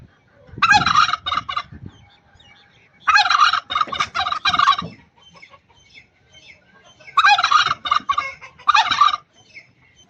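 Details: Angry, aggressive pet turkey hen in Buner, Khyber Pakhtunkhwa, giving rapid rattling gobble-like bursts of one to two seconds each. Three main outbursts come between short pauses, with fainter clucks in the quiet gaps.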